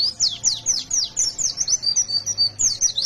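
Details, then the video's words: White-eye (pleci), a fighter bird in constant wild-style 'ngalas nembak' song meant to set other white-eyes singing: high, thin descending and swooping notes strung together quickly, with a faint low hum underneath. "Suara burung pleci Gacor fighter Ngalas nembak"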